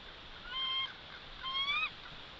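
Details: Bald eagle at the Big Bear nest, picked up by a live camera. Two thin, high whistled calls sound about a second apart, the second one sliding upward. They are set against a constant hiss.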